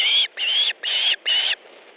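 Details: Osprey at a nest in Estonia, 3 August 2014, mid-afternoon, during a fish delivery as the second adult arrives; four loud whistled calls, each about a quarter second, evenly spaced.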